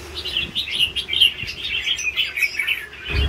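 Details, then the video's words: Older red-whiskered bulbul in a cage delivering a steady run of lively chirped and warbled notes, rising and falling in quick succession, ending with a dull thump. "CHÀO MÀO SIÊU LÂN BỔI GIÀ"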